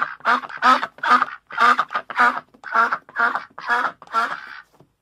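A duck gives a rapid run of about ten loud, nasal, raspy quacks, roughly two per second with uneven spacing. No other sounds stand out.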